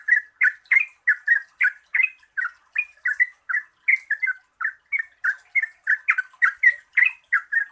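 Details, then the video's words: Yellow-vented bulbul giving 'gacor ropel panjang' lure song to draw out birds that sing little: continuous, fast, gurgling notes about three per second, clear and unbroken throughout. "Pancingan Trucukan Gacor Ropel Panjang COCOK untuk BURUNG TRUCUK MALAS BUNYI"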